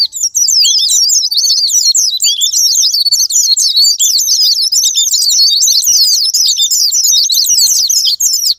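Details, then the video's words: Japanese white-eye song used as a sparring-partner lure to trigger caged birds into singing: a dense, nonstop high twittering of rapid, buzzy, zigzag notes, fast and jumbled, with no other sounds. "Pancingan Super Gila Sparing Patner,ampuh buat pancingan Semua jenis burung pleci pemicu andernalin"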